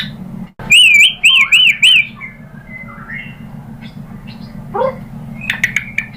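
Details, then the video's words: White-rumped shama song meant to coax another bird into singing: four loud, wavering whistled notes in quick succession, then softer scattered notes over a steady low hum. "PANCINGAN AMPUH ‼️ MURAI BATU JADI NYAUT GACOR"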